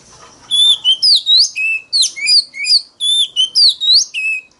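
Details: Oriental magpie-robin, loud fighting song meant to provoke rivals: a phrase of bright whistled notes sweeping up and down, given twice with a brief pause, clean and close.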